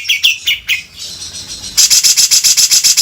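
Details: Grey-cheeked bulbul giving several descending whistled notes, then a fast, very regular volley of harsh grating beset kasar notes, roughly four per second.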